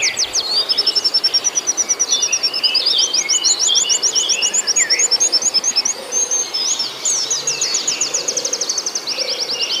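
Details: Oriental white-eye song used as a lure for a caged bird: nearly ten seconds of continuous high, rapid chirping trills, some notes dropping and twisting, mixed with softer lower twitters, ending in a dense fast run of sharp notes.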